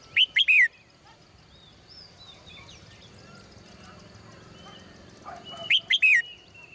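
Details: Female cage bird singing in the morning: two short bursts of bright, sharply descending whistled notes about five seconds apart, quiet background between them.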